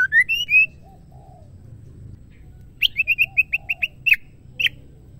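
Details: Female Oriental magpie-robin calling a male, kept as a caged bird: rising whistled slurs at the start, a pause, then a quick series of sharp repeated chip notes with a final emphatic note.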